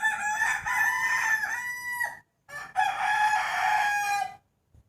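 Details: Two loud harmonic crows from a rooster in the morning before New Year 2020, each about two seconds long with a held middle and a falling end, separated by a short pause.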